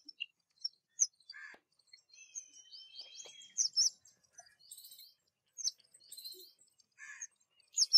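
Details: Black drongo in spring giving a varied run of high, sharp notes: brief metallic chips, short whistles and a thin level whistle, with pauses between bursts.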